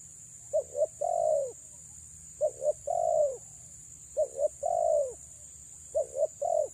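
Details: A female spotted dove coos to attract males, repeating a regular phrase of two quick soft hoots and one long falling coo about every one and a half seconds, four phrases in all, with constant background hiss.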